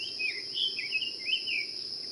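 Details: Brazilian tanager giving a warbling run of short slurred notes, rising and falling, in phrases about half a second long, over a steady high insect drone.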